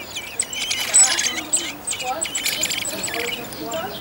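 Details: Eurasian blackbird family in a garden on Whit Monday, a second brood of four young near their first flight attempts; busy high, thin chirps and short tweets overlap in quick bursts, some louder notes near the one-second mark.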